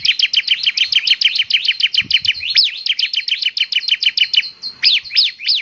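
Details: Ciblek semi, the bar-winged prinia, in full gacor song meant to prompt other prinias to reply: a continuous rattle of very rapid high chirps, broken near the end by a few longer rising-and-falling sweeps.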